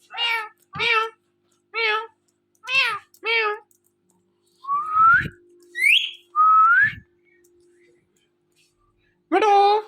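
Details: Talking pet rose-ringed parakeet indoors: six short, evenly spaced nasal syllables, then rising clear whistles and slurred whistled notes, ending with one louder speech-like call.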